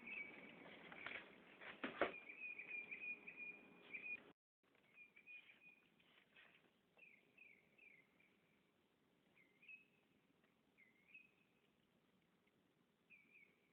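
A northern mockingbird gives short, slurred chirps and brief rising notes at irregular intervals, after a few seconds of a steady high tone over rough background noise and a knock.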